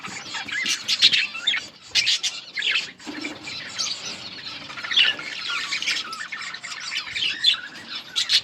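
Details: Chorus of budgies in a breeding colony, continuous chattering warble broken by louder sharp squawks and clicks in bursts, with brief pauses between bouts of overlapping twittering.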